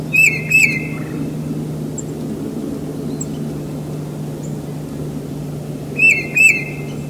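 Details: Tufted titmouse singing near a house in spring, two whistled two-note phrases separated by a long quiet gap, each note a quick downslurred whistle, with a low steady hum beneath.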